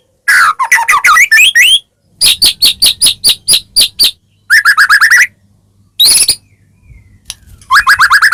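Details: Medan white-rumped shama in full varied song as a lure for caged birds: loud bursts of fast chattering phrases, evenly spaced harsh clicks, and rising whistled sweeps, separated by short silences.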